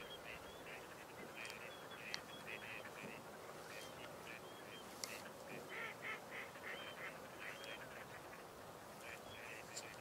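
A flock of gadwalls calls constantly: short, nasal, reedy notes overlapping in a busy chorus over a steady background hiss of wind and water.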